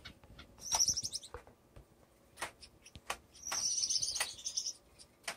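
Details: Male owl finch, kept in a cage, practicing his courtship dance on perches, floor and feeding dish; two bright, high buzzy trills a few seconds apart, with light clicks between them.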